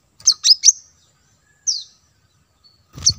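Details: Plain-throated sunbird, known locally as kolibri kelapa or manggar, in lure audio used to attract wild birds: three sharp, very high chirps in quick succession, a pause, a single downslurred note, then a final burst.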